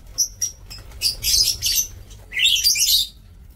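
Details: Lovebirds kept for breeding in an aviary cage, 2 October 2024, give a few thin, sharp chirps, then two longer bursts of dense, scratchy high-pitched chatter, separated by a brief pause.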